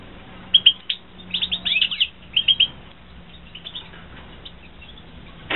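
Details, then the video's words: European goldfinches (Carduelis carduelis) kept for breeding in 2016 give clusters of sharp, high twittering chirps in quick bursts, with brief pauses between phrases and a quieter stretch near the end. "Καρδερίνες εκτροφή 2016 - Carduelis carduelis - European goldfinch"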